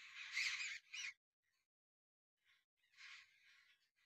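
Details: Jungle babblers playing in a tree in winter give harsh, grating, squeaky chatter in loud bursts, then quieter scratchy notes after a short pause.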